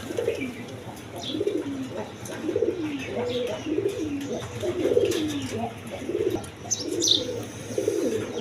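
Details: A steady series of low, rolling, downward-sliding coos from native and foreign colour pigeons repeats under a second apart, with faint higher chirps and clicks and a background hum.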